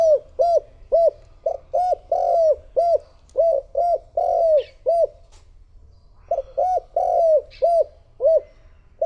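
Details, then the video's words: Lure spotted dove for attracting wild doves: a long run of low, hollow coos, some short and some drawn out and arching, repeated in quick sequence, a short gap, then further coos. "Cu gáy mồi thúc gù gọi bổi / Suara Burung Tekukur Gacor Terbaru 2026 Paling Ampuh Untuk Pancingan"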